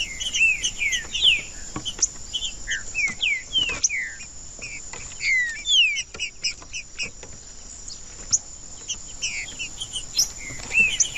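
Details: Singing green-winged saltator, a warm-up recording for breeders who enter saltator tournaments: repeated downslurred whistles and short chirped notes in varied phrases, with a steady high-pitched insect drone throughout.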